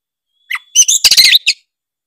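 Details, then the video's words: Oriental magpie-robin singing gacor, played to prompt other magpie-robins: a thin held whistle, then a brief loud rattling burst of rapid harsh and whistled notes. "ampuh buat pancingan kacer langsung gacor denger suara kacer gacor satu ini"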